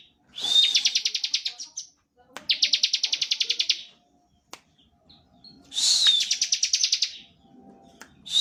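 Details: Lure song of a bar-winged prinia in nonstop ngebren style, meant to set other prinias singing. Three bursts of fast, high-pitched pulsed notes, each about a second long, with scattered faint clicks between them.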